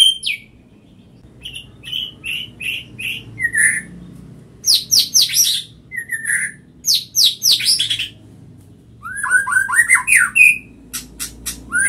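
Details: White-rumped shama singing eagerly in a quick response: repeated clear whistled notes, then rapid bursts of sharp, sweeping, high-pitched phrases and a run of rising whistles, with short pauses between phrases.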